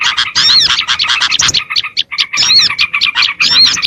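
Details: A recording used to lure small birds: chattering flock calls, high and squeaky, in two dense bursts separated by a brief quieter moment.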